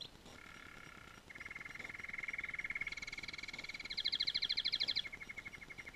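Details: Canary singing in sustained trilled rolls, a low double-banded buzz shifting to a steady rapid trill, then a higher pulsed trill layered above, all on one continuous phrase.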